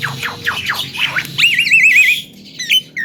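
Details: Javan myna, a chatty talking cage bird, starts with quick falling chirps and then holds a wavering, warbled whistle for under a second before short whistled notes.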